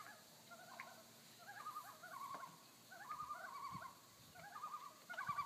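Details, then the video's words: Pair of common loons giving tremolo alarm calls on Fifth Crow Wing Lake in Nevis, Minnesota, birds unseen; rapid quavering laughing phrases around mid pitch, repeated in bursts about every second, over soft background hiss. "Loons Tremolo Alarm Calling"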